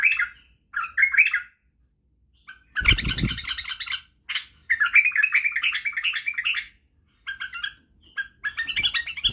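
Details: White-eared bulbul (Badrawi) singing for chicks to learn song and barwaz. Short warbles alternate with longer rich, bubbling phrases and pauses. A heavy low thump sounds under one burst.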